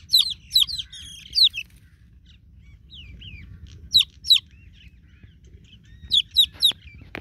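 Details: Newborn chicken chicks calling for a broody mother hen: scattered thin falling peeps in small bursts, separated by quiet stretches of faint low background hum.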